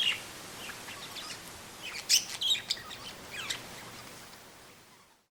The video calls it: Two budgerigars chirping outside, strong wind in the trees